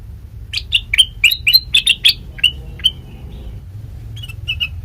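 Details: Sooty-headed bulbul song used as a lure for other birds: a run of short bright chirping notes, rising and falling, fading at mid-clip before a few softer notes return.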